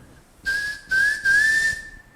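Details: Undulated tinamou song, characteristic in this part of Brazil: three mellow, hollow whistles at steady mid pitch, the last longest and gently rising, with a faint hiss behind.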